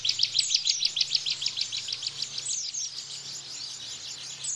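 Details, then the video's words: Bar-winged prinia in the rapid-fire 'tembakan' song style, used as a training recording for cage birds: fast, high, sharp chirped notes repeated about twice a second in a steady run, with a faint low hum beneath. "Tembakan Ciblek Bren"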